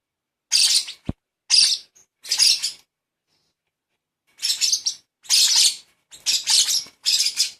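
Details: Baby lovebird chick being hand-fed, giving harsh, raspy, hissing begging bursts in two clusters separated by a silent gap of about a second and a half, each burst short and noisy; a sharp click near the start.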